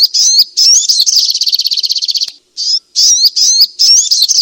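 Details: Song of a striated grassbird: dense high whistled phrases with looping slurs lead into a rapid pulsing trill, a short pause, a single clear whistled note, then more run-together bright warbling phrases.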